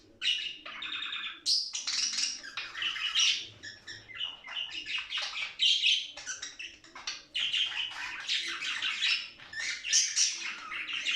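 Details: Budgerigar warbling, a sound for stimulating budgerigars to play, sing and mate; long rambling chatter mixing sharp clicks, buzzy trills, squeaky whistles and high bright notes, nearly unbroken.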